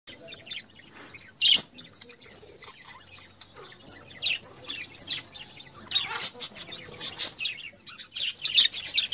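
Budgerigars give rapid, high chirps and squeaky chatter in quick irregular bursts.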